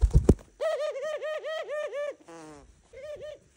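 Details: Morning greeting from an indoor pet dove: steady chain of wavering, pulsed coos at a brisk even rhythm, a short buzzy note, then one last coo, with a person's laughter just after.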